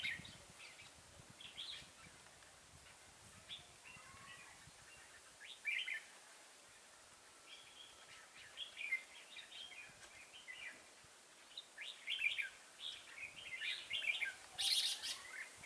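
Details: Decoy red-whiskered bulbul, kept as a lure bird and offered for sale, gives bright, short chirps and warbled phrases scattered across the clip, growing busier toward the end, over steady background hiss.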